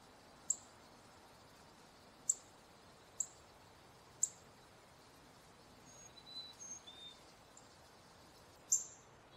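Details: Male northern cardinal giving sharp, high, metallic chips spaced one to two seconds apart, with softer faint twittering between them, over a steady outdoor background hiss.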